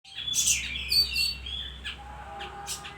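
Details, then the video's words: Bayeman bird singing constantly, a short burst of high, bright chirps and a sliding whistled note, then fainter scattered chips over a low steady hum. "suara burung bayeman gacor"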